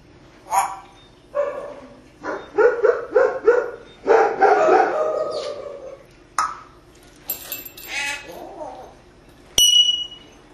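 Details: Pet parrot at a window in Las Vegas, Nevada, known to talk, whistle, throw kisses and make sound effects: a rapid run of varied speech-like squawky syllables, a few harsh noisy bursts, then one sharp high whistle at the end.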